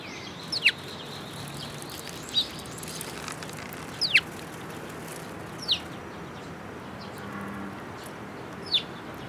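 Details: At a feeding platform on 19 May 2022, sparrows arriving for food give about six sharp, thin chirps that drop steeply in pitch. The chirps come singly at uneven gaps over nine seconds above a quiet background hiss.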